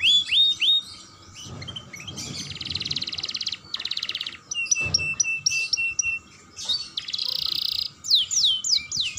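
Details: Varied young canary song meant to trigger singing in other canaries, with short whistled notes, two broad buzzy rolls, sharp chips, another rasping roll and quick descending slurs.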